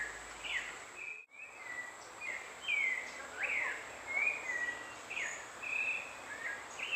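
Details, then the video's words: White-throated manakin: a run of thin, high whistled notes, some rising and some falling, repeated roughly every half second over a steady hiss of insects. "Saltarín cuelliblanco"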